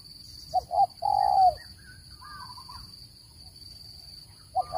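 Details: Spotted dove call recording used to lure birds into traps: two short low coos then a longer, slightly falling coo, another phrase starting at the end, over a steady high electronic whine and faint chirps of other birds.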